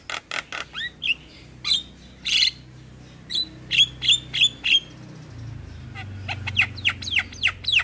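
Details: Javan myna and other starlings in a tutor recording: sharp clicking notes, then high whistled slurs repeated in a quick run, a pause with low background hum, and finally a burst of rapid upward chirps.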